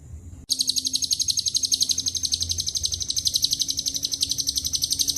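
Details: After a half-second hush, a lovebird bursts into long ngekek chatter laced with cililin and canary fill, a fast shrill stream of evenly repeated pulses that runs without a break.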